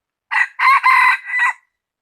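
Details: Rooster recorded 16/1/2020 giving one full crow, a brief lead-in, two loud drawn-out raspy middle notes and a trailing lower ending, lasting about 1.3 seconds against a silent background.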